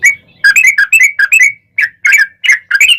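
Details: Lively yellow-vented bulbul 'ropel' song meant to provoke other bulbuls into singing; a fast bubbling chain of rich, slurred two-part notes with brief gaps, loud and close.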